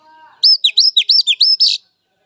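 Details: Oriental magpie-robin from the wild, heard in a rapid burst of about seven loud swooping whistles ending in a harsher note, used to coax young, spotted-phase and silent caged birds into singing.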